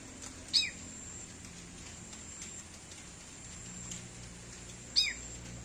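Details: Sooty-headed bulbul giving a cat-like call: two brief, sharp notes sliding steeply downward, about four seconds apart, over steady faint background hiss.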